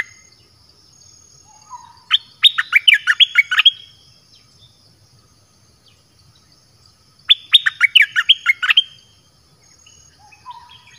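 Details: Caged red-whiskered bulbul singing varied song phrases used to call in wild birds: two quick bursts of bright, rising and falling whistled notes, each about one and a half seconds, roughly five seconds apart, over a faint low hum.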